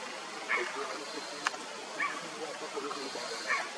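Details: A female Heart-spotted Woodpecker (Hemicircus canente) at Chandgad, Maharashtra, India, in March 2022 gives short, nasal, squeaky call notes about every one and a half seconds, with a single sharp tap between them, over steady hiss.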